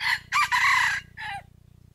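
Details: Red junglefowl rooster kept as a decoy, crowing to draw wild cocks into answering for trapping. A quick first note runs into a long buzzy phrase, and then a lower note falls away, with a steady low hum underneath.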